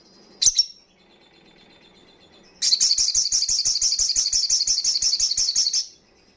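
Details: Crimson sunbird singing the fast wild-style 'ngalas' song used to stimulate breeding condition and aggression in untrained birds: a single high chip, a pause, then a three-second rapid, even, piercing trill.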